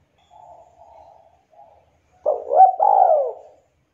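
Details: Local Javanese spotted dove with a sharp, melodious voice, used to prompt reluctant doves to sing. Three soft, low, even coos come first, then a much louder, rough, rolling coo that rises and falls in two swelling parts.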